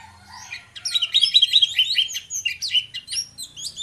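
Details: Orange-headed thrush pair in gacor ngeplong song, played as a lure to get others singing: near silence, then a dense, rapid run of high chattering notes and slurred whistles lasting about three seconds.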